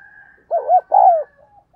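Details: Decoy spotted dove giving lure calls for wild doves: two deep, hollow coos, the first wavering and the second long and falling, after a faint steady tone.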